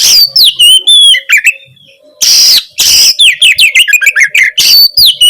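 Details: Energetic Oriental magpie-robin (Kacer) song, played to trigger a silent Kacer into replying. Descending whistles and chips, then a short pause and a loud harsh burst. After that the rapid varied whistling picks up again.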